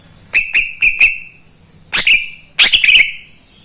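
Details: Greater green leafbird, a neighbour's caged bird, singing in the morning: sharp downward-sweeping notes in quick pairs, then bright whistled phrases with a short warble, loud and clear with little background.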